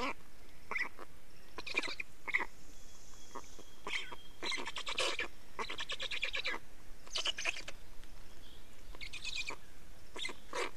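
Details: Black storks in Estonia, 24 May 2019 at 15:15, changing over at the nest and feeding; short bursts of rattling, rapidly pulsed calls come in irregular groups, with a faint thin whistle from another bird between them.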